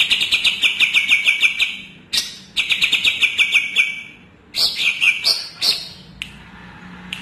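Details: Greater green leafbird from Kalimantan delivering loud sweet song: fast runs of repeated chirped notes, several bursts with brief pauses, rising sharper whistled phrases mid-way, isolated clicks afterward, faint low hum beneath.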